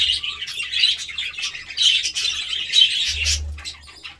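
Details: Lively budgerigar twittering of fast high chirps and squeaks that fades toward the end, with a brief low hum near the close.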